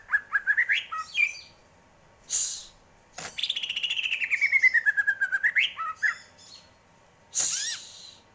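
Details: Greater green leafbird song with rising chirps, then a long rapid rattling trill sliding gradually downward, and scattered harsh noisy bursts between phrases.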